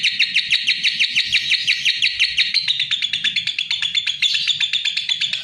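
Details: Lovebird delivering a continuous rapid chatter of high, clipped chirps repeated about three times a second, with a brief brighter twittering near the end.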